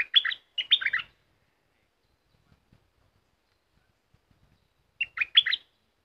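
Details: Caged red-whiskered bulbul singing in the 'dok taeng' song style: two quick warbled, chattering phrases of bright notes in the first second, then silence, then another short rich phrase near the end.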